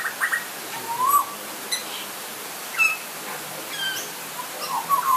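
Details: Butcherbird recorded in light rain, giving rising fluted whistles mixed with short sharp chirps and quick clipped notes, spaced irregularly across a few seconds against a soft constant hiss.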